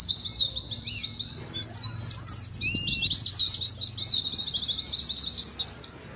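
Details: Ngeriwik song of Oriental white-eyes, played to provoke other white-eyes and mimic a singing contest: a continuous stream of fast, sharp, high-pitched chirps overlapping one another, with one brief lower whistled note.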